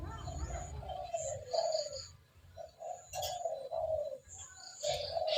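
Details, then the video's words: Spotted dove calling frequently, played as a lure for wild spotted doves: soft, low cooing notes sliding downward, fainter and muffled, with a low rumbling background hum and a faint high whistle. "TEKUKUR GACOR 💯 Ampuh untuk pancingan burung tekukur bahan"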